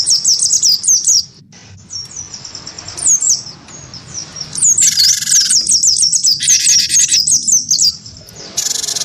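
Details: Wingko-type cinereous tit goaded by a white-eye into combative singing: quick series of thin, high, slurred whistles about two and a half per second, with several loud harsh rasping chatter bursts.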